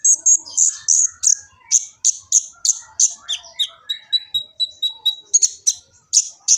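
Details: Kolibri ninja sunbird singing in Gresik, East Java, caught on an Infinix phone for use as training master song; fast series of high piercing chips about three per second, broken by a thin sustained whistle midway.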